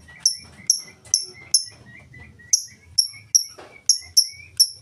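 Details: Lovebird doing full ngetik, ticking without ngekek, suited to drawing song from other lovebirds: shrill clipped chirps about two per second, with faint lower whistled notes beneath and a short scratchy noise.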